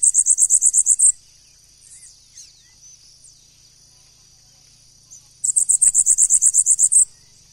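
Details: Bananaquit singing: two bursts of very high, thin, rapidly repeated notes, about a dozen each lasting roughly a second, separated by a pause with faint soft chirps.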